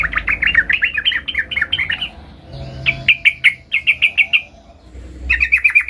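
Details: Young sooty-headed bulbul in training, learning its rolling song: rapid bursts of bubbling, slurred notes around the mid-high range, delivered in quick runs of about eight to ten notes with brief pauses between bursts.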